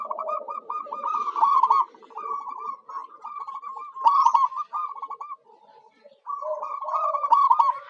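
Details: Zebra dove (perkutut lokal) used as a lure for wild birds: nearly continuous overlapping rolled coo phrases, rapid and stuttering, with lower coos mixed in and a short quiet gap near six seconds.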